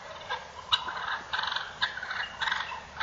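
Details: Fighting wild turkey toms making a fast series of harsh, rattling, clucking bursts, several per second in uneven clusters, fairly loud and close against light background noise.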